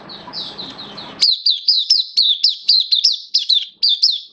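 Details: Caged oriental white-eye, recorded 11 September 2022, moves from quiet high warbling into loud, evenly spaced, down-slurred chirps about three per second, crisp against a silent background.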